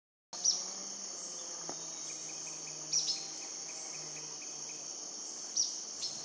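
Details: Purplish jacamar near Shaime, Cordillera del Condor, southeast Ecuador, at 10am on 5 Feb 2014, gives single high, thin call notes about every two and a half seconds against a constant high-pitched insect drone.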